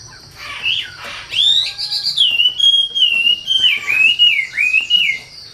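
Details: Treepie (wambi) in vigorous song, opening with a soft slurred note, then a long string of loud, clear whistles, each dipping and rising, delivered about twice a second, with faint low hum beneath.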